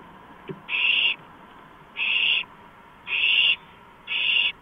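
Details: Owl on a porch at night on 5 April 2015, 2:05 AM, producing four breathy, scratchy hissing bursts about a second apart; a brief soft knock precedes the first, and a faint hum persists.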